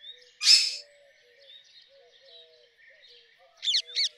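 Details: A rose-ringed parakeet utters one loud, rasping screech, then after a pause two quick, sharp, downward-bending squawks close together. Faint chatter of other birds runs underneath.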